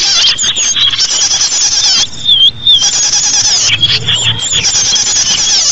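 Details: Crowded twittering of small birds, played to lure small birds: rapid high chirps layered together, a brief clear whistle rising then falling near the middle, and steady busy chatter throughout.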